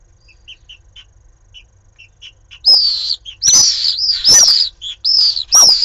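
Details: Pallid swifts fighting at a nest in Jerez de la Frontera, Cádiz, on a live nest camera: soft, high chirps give way to loud, shrill, drawn-out screams, bursting out repeatedly with scuffling noises between them.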